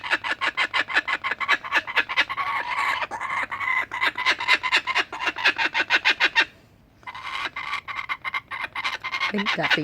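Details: Adult laughing kookaburras sharing food and making lots of noise, one excited after catching a skink: a fast, harsh, rattling stream of rhythmic chuckling pulses, breaking briefly near the end before resuming.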